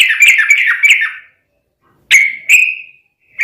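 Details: Yellow-vented bulbul singing vigorously: a quick bubbly warbled phrase, a pause, then two sharp chirps sliding into a drawn-out note.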